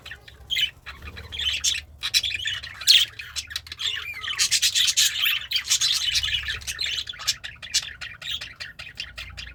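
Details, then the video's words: Happy pet budgerigar eating greens, chirping and singing: dense chattering warble of buzzy squawks and fine chirps, mostly high-pitched, in bursts with short pauses, over a faint low hum. "The Sounds of a Happy Budgie - Chirping, Singing, and Eating Greens"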